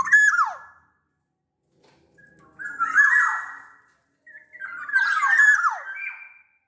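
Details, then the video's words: Black-naped oriole of the Sumbawa type, a large-bodied bird, singing. Loud fluted whistles near one to two kilohertz slide downward, delivered in three phrases separated by short pauses, with a quiet room background. "SUARA KEPODANG GACOR pancingan kepodang agar bunyi"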